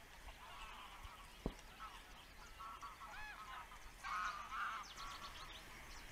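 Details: Attentive osprey dad at the nest, recorded by a webcam; buzzy harmonic calls that strengthen after four seconds and continue in a drawn-out burst, with a sharp knock early and soft bird chirps behind.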